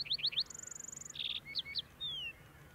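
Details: Male lark sparrow singing on Antelope Island, Utah, on 6-08-2022, a female nearby with food: quick repeated chips, a long buzzy trill, then a lower burry trill, spaced notes and a falling whistle.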